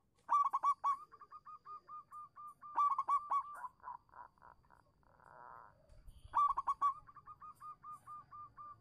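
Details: Zebra dove of local stock singing as a lure for doves that stay silent: quick stuttering coo clusters leading into long steady trains of short mellow notes, with a brief buzzy rustle midway.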